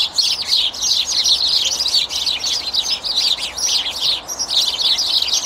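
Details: A boisterous group of sparrows having a massive argument in a tree: dense, overlapping high chirps pour out non-stop, several each second, without a pause.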